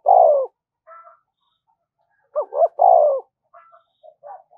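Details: Lure call of a spotted dove, 'thúc gù' style for drawing in wild doves: a long low falling coo, a quiet higher note, then a double short coo and another long descending note, with faint soft calls after.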